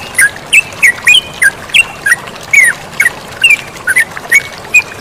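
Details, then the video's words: Sooty-headed bulbul in a bird-training recording, singing lively short, liquid notes that rise and fall, about thirteen spaced through five seconds, over a steady hiss of flowing water. "MASTERAN TERUCUKAN GACOR DAN SUARA AIR MENGALIR"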